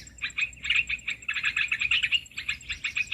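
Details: Olive-winged bulbul lure sound used to draw birds in for trapping: rapid bursts of harsh, chattering notes in quick runs with brief gaps, over a faint steady high-pitched tone.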